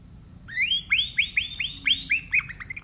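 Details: Timbrado canary giving a string of separate upswept whistled notes, about eight in under three seconds, spaced irregularly, clear and fairly quiet against a soft low background.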